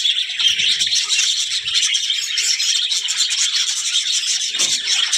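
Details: Talking budgerigars produce an unbroken wash of high squeaks, rattling trills and chirps, dense and constant from start to finish.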